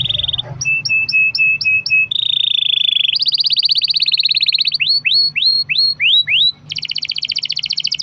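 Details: Singing canary used as a lure to get other canaries singing: varied phrases of sustained buzzy rolls, short paired chirps repeated about six times, rapid trills and upward-sweeping whistled notes in quick succession, with a faint low hum behind.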